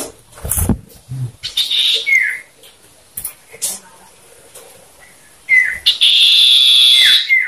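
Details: Caged male common ioras in a one-versus-one vocal duel, 'ngetir meriwit nyipow' style, used to trigger other ioras. Falling whistled slurs and a long sustained high note follow scattered knocks and thumps.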